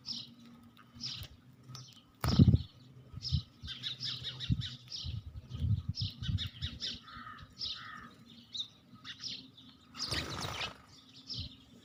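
Several sparrows chirp in a busy, overlapping chatter of short high notes, with low thumps, a wing-flap flurry and two loud rustling bursts.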